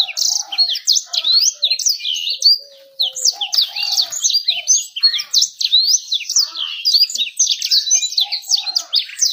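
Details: Long lure song to make birds sing quickly and attract females; continuous fast warbling of high sweeping chirps and trills, briefly dipping before resuming at full pace.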